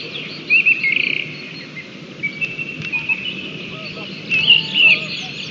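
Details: White-tailed eagle calling in Latvia on 31 March 2020, recorded live: bursts of thin, high, yelping notes, a quick stuttering series early on and later squealing cries, over a constant hiss of wind or background noise.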